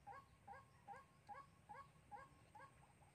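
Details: White-breasted waterhen calling, recorded in Sóc Trăng on 2 February 2021 for use as a trapping lure: a steady run of short, hoarse, harmonic notes repeated about two and a half times per second over a low background hum.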